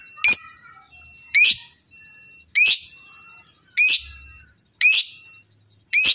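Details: Lovebird giving loud, shrill chirping calls meant to make other lovebirds answer; sharp sweeping notes repeated about once every second, with quiet pauses between.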